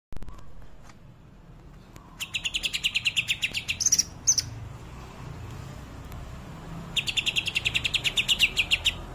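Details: Greater green leafbird singing in the rapid 'tembakan' burst style: two bursts of fast, evenly repeated sharp chirps, the first with a few higher piercing notes near its end, separated by a quiet pause with faint background hum.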